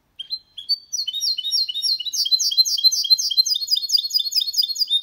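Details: A goldfinch × canary hybrid sings cleanly without errors, a fast, bright twittering song of high chirps and trills building into a dense, continuous run of rapid notes.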